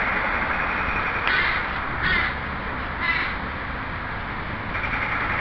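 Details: Juvenile crows begging adults for food in their breeding territory after returning from a bachelor flock; hoarse caws sound roughly every second, then pause, against a constant rushing background noise.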